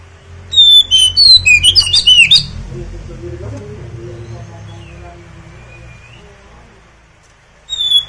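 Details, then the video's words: Kacer, or oriental magpie-robin, in song to prompt other kacer to answer and spread their tails: a two-second flurry of piercing whistles and quick chips, a faint drawn-out whistle during the low-humming pause, then a fresh burst at the end. "kacer anda ikut nyaut gacor dan buka ekor"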